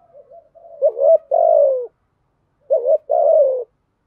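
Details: Two clean coo phrases from a spotted dove in the 'thổ' voice, 'gù thúc' style: soft lead-in murmurs, then a short note and a long descending hollow coo, repeated once after a pause.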